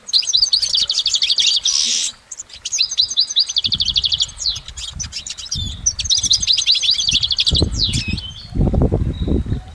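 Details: Goldfinch song outdoors, lasting long with few breaks: a buzzy burst near two seconds, fast rhythmic trill series, high twitters, and a patch of low rumbling noise toward the end.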